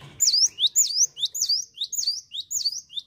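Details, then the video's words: A cinereous tit delivers a continuous string of about ten high, bright swooping notes in quick succession, rising then dipping, in the chattering 'ngetroll' manner. "GELATIK WATU GACOR NGETROLL"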